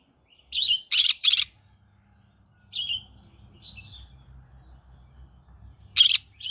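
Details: A green-cheeked conure in the morning gives a short squeak, two grating screeches back to back, softer chirps, then another harsh screech near the end.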